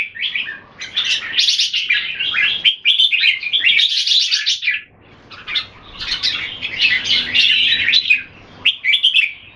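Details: Caged Red-whiskered bulbul from Singapore singing during a display match: several energetic bursts of chattering, whistled phrases, each one to three seconds long, separated by short gaps.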